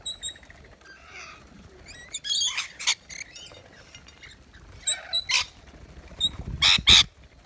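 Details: Rainbow lorikeets feeding on wet nectar mix at a balcony feeder in Australia; loud bursts of harsh, rasping screeches interrupt softer chattering, with several strong squawks clustered near the end.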